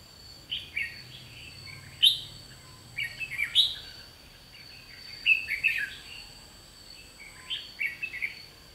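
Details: Red-whiskered bulbul decoy bird singing its challenge during a trapping session, 30 May 2016; clusters of quick chirpy, slurred whistled notes come every second or two, then pause, against a constant thin high-pitched drone.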